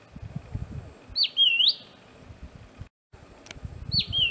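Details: Southern scrub-robin, a ground-dwelling bird usually hidden in vegetation, calling at close range: a downslurred then upswept whistle, followed after a brief silence by the start of another, over low rustling.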